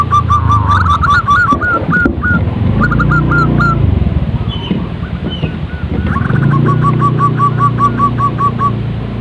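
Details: Zebra dove uttering rapid series of short, bright cooing notes, pausing mid-way and then repeating an even, quick run of coos, against a loud, continuous low droning noise.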